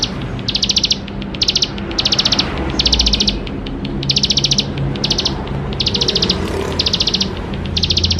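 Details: Bar-winged prinia singing tirelessly with a rich full song, meant to prompt young birds to sing: regular bursts of rapid high ticking trills, around eleven, each about half a second, over low background rumble.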